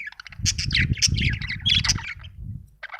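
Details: Budgerigar chirps and squeaky warbles over a loud low rumbling, shuffling noise that partly competes with the bird.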